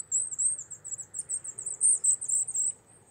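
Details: Very high, rapid twittering from a Wallcreeper wintering among Czech rock faces, an almost continuous string of thin, buzzy chirps lasting nearly three seconds before fading.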